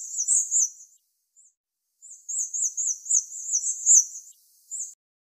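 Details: Migrating hawfinch in autumn: a short burst of high, sharp notes, then a gap with one faint note. A longer unbroken chain of about ten rapid, thin, high calls follows, ending with one last separate note.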